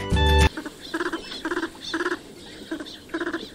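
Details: Northern Pintail, a migratory duck, at Bundala National Park, Sri Lanka, giving short bursts of rapid, nasal pulsed notes, about five per burst, repeated every half second or so, after a loud musical opening.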